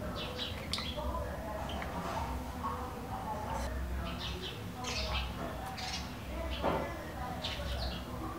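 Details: Bewick's wrens breeding in a small wooden box in a garden in northern Ciudad Nezahualcóyotl, State of Mexico: scratchy, buzzy chirps in loose clusters, with a constant low background rumble.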